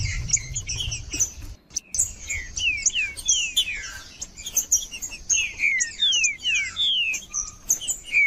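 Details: Rufous-bellied thrush song played to warm up a cold caged bird: a series of clear whistled slurred notes, many falling, delivered in loose phrases over a steady background hiss with some low rumble.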